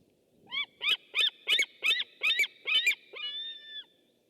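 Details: White-tailed eagle heard through a webcam on 6 August 2015: a quick run of seven loud, yelping barks. It ends in one longer, drawn-out, even note, over faint background noise.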